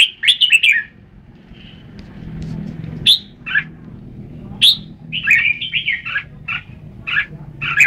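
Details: Red-whiskered bulbul song with a rapid warbled burst, a pause, then scattered bright sharp notes and a rambling chattered phrase; steady low hum in the background.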